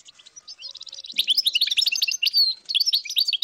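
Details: Wild European goldfinch flock of dozens in northern Morocco, 2022: soft twitters swell into a rapid jumble of high chirps and liquid notes, many voices mixing continuously.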